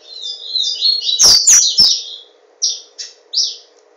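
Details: Papa-capim, a Yellow-bellied seedeater kept by its owner in Garanhuns, Pernambuco, Brazil, delivers a rapid run of high warbled, buzzy notes, then three short separate chirps, over a constant low electrical hum with sharp clicks.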